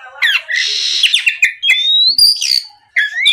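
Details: Oriental magpie-robin lure song for drawing out untrained birds: a long rasping buzz, a steadily rising thin whistle, scratchy clicks, then short upslurred whistles.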